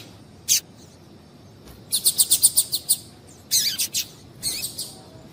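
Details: Female double-collared seedeater calling to stimulate males to sing: a lone sharp high chip, then a quick run of about seven bright, even chips, followed by shorter bursts of three and four.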